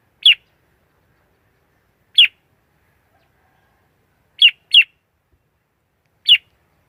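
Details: Red-whiskered bulbul giving short, sharp single chirps, clean and high, spaced about two seconds apart with one quick double note, silence in between.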